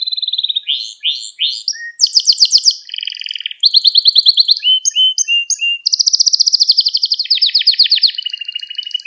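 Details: Gloster canary singing to stimulate other canaries and train young birds: a fast, varied song of high rolling trills and rapid repeated notes, switching between tours every second or so, with no other sounds.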